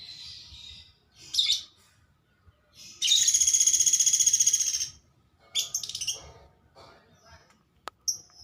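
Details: A vocal woodpecker with unusual colouring gives high chirps, then a steady two-second buzzy rattle of rapidly repeated notes, followed by scattered sharp chips and a brief click.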